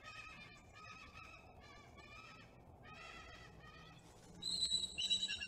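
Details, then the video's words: Wild bald eagle pair at a nest about 105 feet up a loblolly pine near Kincaid Lake, Kisatchie National Forest, central Louisiana, in early morning on 5 November 2021 during a bonding attempt; series of harmonic, slightly wavering piping calls, then shriller high squeals. "early morning bonding attempt"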